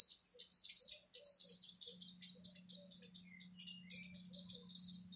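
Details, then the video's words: Gorleston birds singing in May 2020 near the Norfolk and Suffolk border, a busy chorus of high twittering chirps packed closely together, over a faint steady low hum. "Early Bird Sound Map: Gorleston"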